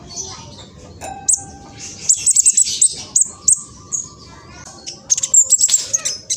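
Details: Juvenile speckled mistletoebird from East Java, Indonesia, recorded on a phone as a lure to make other males sing: fast, sharp high chirps and squeaky notes in quick bursts with short pauses.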